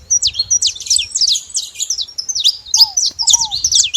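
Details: Saffron finches making noise at a feeding station: a dense stream of sharp, high chirps sliding up and down, with a few lower downslurred whistles near the end.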